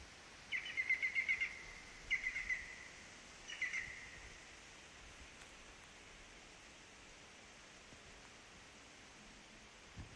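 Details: European green woodpecker near Lillsvan, Skinnskatteberg, Sweden, giving a fast, laughing run of about seven ringing notes, then two shorter bursts, over faint background hiss.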